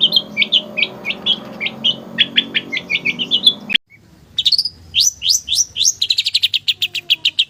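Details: Javanese long-tailed shrike giving a busy, clear song full of filler phrases: rapid chattering high notes, a brief break, then quick rising whistles that speed into a fast trill.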